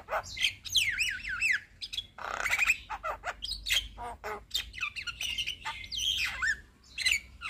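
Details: Busy song of a Javan myna (jalak kebo), used to train other birds: a run of wavering looped whistles, then a loud harsh squawk, clicks and chattering phrases, and wavering whistled notes near the end.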